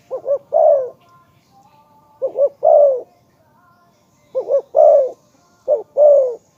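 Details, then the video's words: Spotted dove calling to lure others: a coo phrase repeated three times, each two quick short notes followed by a longer, mellow, falling coo, with pauses of more than a second between phrases. "นกเขาใญ่ ,เจ้าพายุเสียงทอง,เรียกหมานๆ100%"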